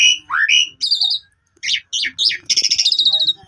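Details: Lure recording of Asian pied starling song for restarting a quiet bird. Opens with upswept whistles, then repeated falling chirps, a short pause, harsh notes and a rapid rattling trill.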